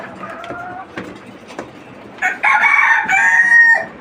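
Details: Desi chickens on a farm with twenty-nine free-range laying hens; faint clucks, then a loud harmonic rooster crow with a drawn-out, slightly falling tail in the last half.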